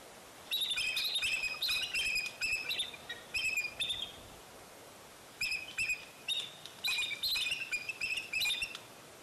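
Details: Bald eagle calling at Fraser Point on 04-10-2019, when eaglets fell out of the nest and came back: two long runs of rapid, squealing whistled notes with ringing overtones, a quiet pause of about a second between them.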